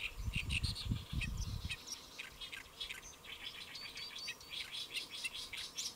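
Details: Great reed warbler calling from a lotus leaf at Saemangeum, Gimje, Jeollabuk-do, 1 July 2024, around 12:10; continuous scratchy, chattering song of varied harsh notes, with a low rumble during the first two seconds.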